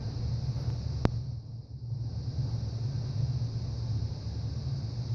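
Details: A steady low rumble like engine or room noise, broken once by a single sharp click, with no animal voice heard.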